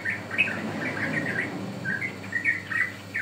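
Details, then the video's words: Sooty-headed bulbul lure song for trapping or training birds, short liquid whistled notes in small clusters, some sliding upward, over a low rumbling background. "Pancingan Ampuh Burung Trucukan"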